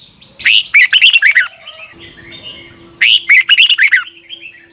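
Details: Fiery 'hót ché' singing by a red-whiskered bulbul during morning voice training, double-twisted voice: two dense phrases of bright, bouncing whistles about two and a half seconds apart, with a low hum in the background.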